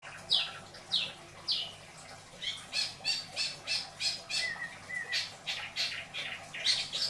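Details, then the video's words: Caged pet long-tailed shrike from Indramayu singing an isian song: harsh, scratchy squawked bursts about every half second, a few short downslurred notes early and a brief whistled note in the middle, over a low indoor hum. "Burung cendet isian dor... beledos"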